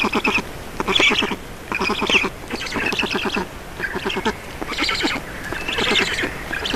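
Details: Black storks at a nest in Estonia during feeding, 4 June 2019 at 18:07; harsh, rapidly pulsed bursts rich in harmonics, each lasting under a second and repeated about once per second.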